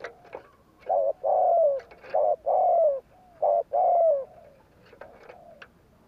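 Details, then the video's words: Spotted dove in "gù kích" provoking style, giving three pairs of a short coo followed by a longer falling coo, with faint clicks and a softer distant coo between. "Tiếng cu gáy gù kích chuẩn / Chim cu gáy gù kích bổi chuẩn nhanh nổi / Cu gáy gù phóng"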